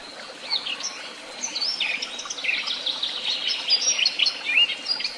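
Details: Mixed birdsong in Tehidy Woobs: several birds singing at once, with bright twittering phrases, quick rising and falling whistles and high chirps overlapping throughout, loudest in short bursts toward the end.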